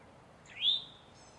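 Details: One distress call from a male Eastern towhee, a quick upslurred note rising steeply before holding briefly at a high pitch, with a faint thin tone from another bird near the end.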